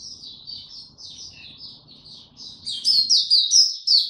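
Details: Oriental white-eye, recorded on 25 January 2022 after a late night: a softer run of high twittered notes, then a sudden loud burst of sharp, rapid chirps over a faint low rumble.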